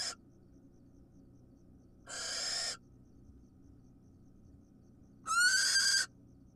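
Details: Wild barn owls at feeding time. Two separate harsh hissing screeches a few seconds apart, the second louder with a rising tonal whine inside it, otherwise quiet.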